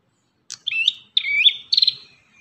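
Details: Lively Ashy tailorbird song of three quick phrases. Bright rising and falling whistles end in a rapid buzzy trill, and the phrases follow one another closely against a silent background.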